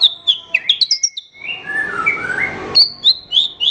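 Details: Horsfield's bush lark song used to train other songbirds: quick descending whistled chirps, then a lower warbling phrase with a soft noisy background, ending in more sharp high chirps.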